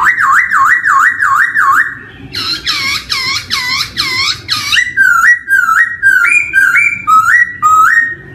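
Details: Lure song of a black-throated laughingthrush, aimed at young birds beginning to sing: a run of wavering whistles, a series of rich harmonic rasping notes, then short stepped whistled phrases repeated about twice a second.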